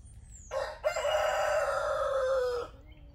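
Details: Rooster crowing at dawn: one long, loud, hoarse crow lasting about two seconds, starting abruptly and trailing off slightly lower in pitch, with quiet low background hum.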